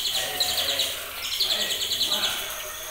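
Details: Rapid, even chatter of high clipped notes from a white-rumped shama a bit over two months old, bred from champion parents, sung in the trotolan style with a brief pause before the run picks up again.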